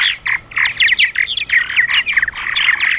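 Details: Purple martins coming in for the night chatter in a dense, overlapping stream of gurgling, croaking chirps, many birds calling at once with no pauses.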